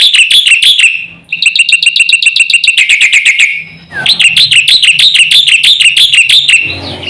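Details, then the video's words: Black-winged myna song used to set off other mynas: a dense, continuous stream of bright whistled chirps, a quick repeated phrase, a short pause, then more ringing rapid notes. "suara jalak putih gacor full isian sekali pancing semua burung jalak ribut gacor"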